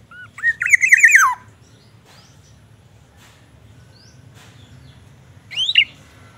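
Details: Black-naped oriole kept in a cage, said to sing mimicked white-rumped shama phrases, giving a scratchy descending wavering note, then quiet low hum and a shorter rising harsh call near the end.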